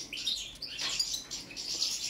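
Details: Balkan European goldfinch, subspecies balcanica, heard during a song check: continuous bright, high-pitched twitter with fast rising and falling chirps and short liquid trills, no pauses.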